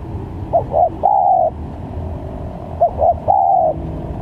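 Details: Spotted dove lure call for trapping, with varied calls: two phrases about two and a half seconds apart, each a pair of short, slightly rising notes then a long level coo.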